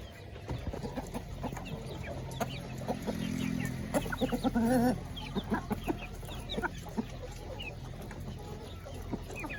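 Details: Free-range village chickens and laying hens in a coop at feeding time, giving many short clucks and chirps scattered throughout, with one louder drawn-out squawk near the middle, over a steady low background rumble.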